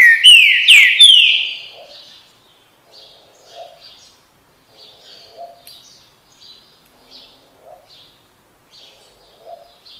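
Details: Green-winged saltator singing the song style locally called "bom dia seu chico": a loud opening phrase of three or four rich, slurred whistles within about a second and a half, then soft, scattered distant chirps.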